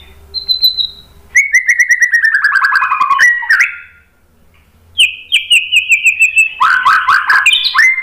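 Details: White-rumped shama song played as a lure to provoke answering birds: a thin high whistle, then fast repeated notes falling in pitch, a pause, and higher whistles dissolving into loud, varied, chattering phrases.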